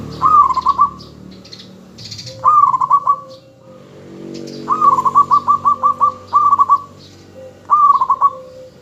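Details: Zebra dove, local bird used as a lure to get other doves answering, sings repeatedly: four rolling phrases of pulsed coos, one long with around ten beads, spaced one to two seconds apart.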